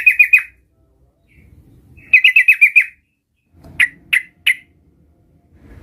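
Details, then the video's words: Sooty-headed bulbul, a young bird learning its rolling song, gives quick bursts of repeated chirpy notes around a mid-high pitch, then three separate sharp, downward-slurred notes with short silent gaps. "suara trucukan gacor belajar Ngerol"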